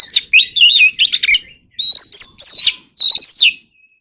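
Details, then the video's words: Contest singing by an Oriental magpie-robin, very spirited: a busy stretch of twisting whistles mixed with scratchy clicks, then two long pure whistles that swoop upward and fall away, separated by short gaps; quiet background. "chòe than hót sung quá | chòe than hót đấu"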